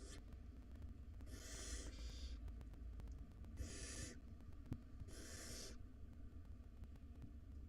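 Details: At dinner time in a nest box, five hungry wild barn owl chicks make a brief hiss, then three loud, noisy snoring shrieks each close to a second long, over a low droning background.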